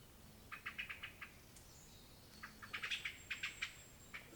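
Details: Eurasian blackcap scolding angrily with loud, rapid series of clicking tack notes, two runs of five to nine calls each, with a faint high whistle from another bird in between.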